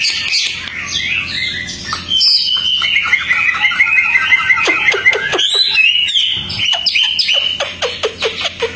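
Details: Tame Hwamei singing steadily outdoors, its song offered as a tutor recording for other songbirds: loud, varied whistled phrases with a sustained high trill, then a run of sharp downward-sweeping notes repeated about twice a second.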